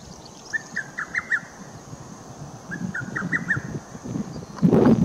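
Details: Lesser cuckoo song from 22 June 2017: two bursts of about six rapid, clipped whistled notes, two seconds apart, over a steady low rumble, ending in a loud broadband thump.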